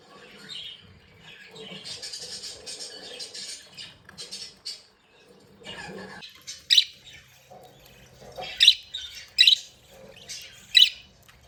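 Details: Budgies happy at play: quiet scratchy warbling at first, then sharp loud chirps rising to peaks every second or so in the last part.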